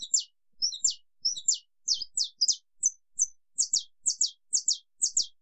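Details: Saffron finch long "estalo"-style song: a steady run of sharp, bright, high chips, often doubled, coming about twice a second against a quiet background.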